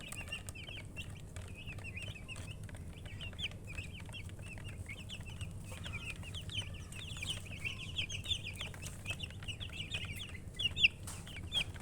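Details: Many baby chickens chirping together, a dense chorus of thin high peeps rising and falling, with constant low background noise and occasional knocks.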